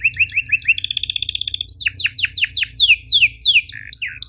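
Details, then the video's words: Canary song for training other canaries, with sharp chirps and rolls: rapid repeated hooked notes, then a fast trill, then a run of downward-sweeping whistled syllables, all high-pitched and continuous; faint low hum beneath. "MASTERAN KENARI GACOR PANJANG EPS24 Cuit NgeroL TAJAM, Untuk Kenari SUSAH BUNYI & Paud belajar bunyi"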